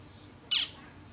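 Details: Zebra finch chick on its first day out of the nest, about 20-odd days old, still fed by its parents and unable to feed itself; a single sharp, buzzy, high call with a quick downward-sliding tail, over a quiet background.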